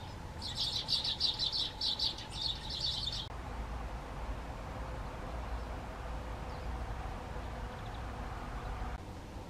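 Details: Great tit (Parus major) delivering a clear song phrase of rhythmic, repeated two-part high notes for about three seconds, then falling silent against a constant low-pitched background hum.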